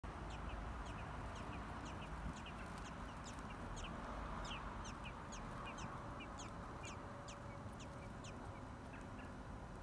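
Baby birds chirp in quick, thin, high peeps, several each second and overlapping, above a steady low rumbling background.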